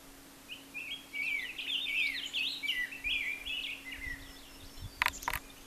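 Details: Rose-breasted grosbeak delivering a long, sweet, robin-like warbling phrase of rapid connected notes lasting nearly four seconds, followed by a few sharp clicks, over a constant low electrical hum.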